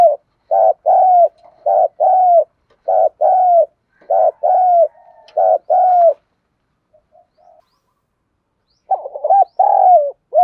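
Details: Spotted dove cooing in the country-voice calling style that lures wild doves: a rapid run of short, mellow, evenly paced coos, a brief lull with faint notes, then another burst of cooing.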